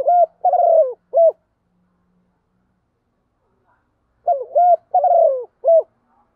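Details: Decoy spotted dove giving its flock-luring call in the 'gọi một hậu' style: a cooing phrase of a short opening note, a rolling throaty coo and a crisp closing note, then about three seconds of silence before the phrase repeats.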